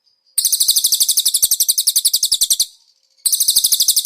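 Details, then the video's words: Cage-bird training master of a konin with cililin fill-in: one rapid chattering trill of about two seconds, high and buzzy, then a short gap and a second trill starting. "MASTERAN BURUNG KONIN ISIAN CILILIN"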